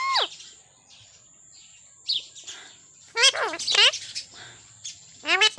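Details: A pet talking parrot, an Indian parrot named Mithu kept uncaged, gives short bursts of harsh, nasal, speech-like phrases with falling pitch sweeps, separated by quiet pauses over a steady faint high hiss.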